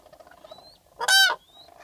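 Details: Common cranes filmed from a photo hide in southern Sweden in April 2014: a single loud, rolling trumpeted call, about a third of a second long, over a low murmur with faint thin whistles from another bird.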